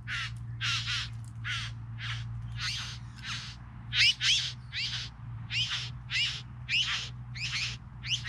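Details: Three bowerbirds rasping steadily, roughly thirteen harsh scratchy notes in close succession, a few with a brief tonal edge, over a low droning hum.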